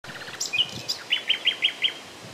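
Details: Common nightingale singing on a late spring morning, 30 April 2020, near Klein-Auheim and Hainburg am Main: a few high, sharp opening notes, then a run of five loud, rich notes repeated evenly about five times a second over a quiet background.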